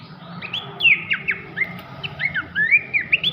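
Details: Melodious whistling of an Abbott's babbler, used as master song for training magpie-robins; a run of short slurred whistles, rising and falling, with sharp upward flicks and a faint background hum.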